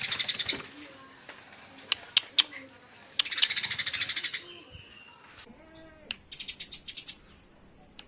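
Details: Eurasian tree sparrows fighting utter rapid high chirp bursts and sharp single clicks. A brief lower, wavering cry can be heard midway, then another quick chirping volley follows.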